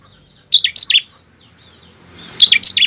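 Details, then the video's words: Bar-winged prinia song, played as a lure to get kept birds singing vigorously: two bursts of high, sharp chirps, the first at half a second and the second near the end, each of three or four quick notes. "pancingan ciblek ampuh mempercepat ciblek gacor dan ciblek ngebren"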